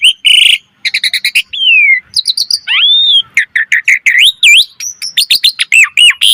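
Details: [["Varied 'gacor' song of an Asian pied starling: harsh squawks, fast clicking trills, a drawn-out falling whistle, then a rapid string of looping whistled notes and chirps, clean and loud."]]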